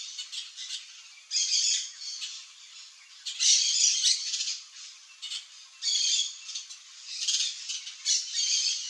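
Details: A pair of Yellow-chevroned parakeets gives harsh, buzzy screeches in irregular bursts about every two seconds, with quieter chattering between; no other sounds stand out.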